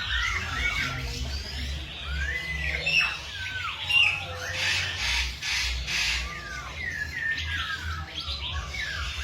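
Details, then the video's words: Birds singing in the morning: several overlapping voices give whistled slurs, rising and falling squawky notes, and chatter over a steady low rumble throughout. "Tiếng Chim Hot Vào Buổi Sáng"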